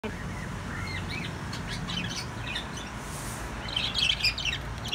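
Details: Ten-day-old chicks peeping: thin, high downslurred cheeps scattered at first, then a denser, louder cluster of overlapping peeps toward the end, over a steady low background hum.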